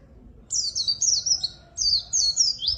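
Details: White-eye song used as a lure and master recording for white-eyes that sing little: two bursts of high, rapid twittering phrases with sweeping whistled notes, separated by a short pause, over faint low background hum.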